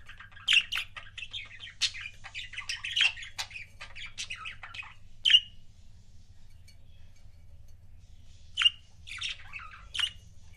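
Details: Pet budgerigar couples giving a busy run of scratchy chirps and warbles, then a pause, then a few isolated sharp chirps and short chatter.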